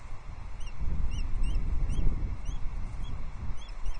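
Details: Female osprey on her nest at Loch Arkaig, Scotland, 11 April 2024, calling as she sees the male bringing the season's first fish, recorded by nest camera: high, thin chirps repeated about twice a second over strong wind rumble.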